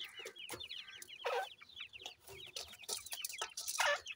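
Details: Grey francolin chicks playing, repeating quick thin chirps in rapid series, each note a short rising-falling slur, interrupted by occasional sharp taps and rustles.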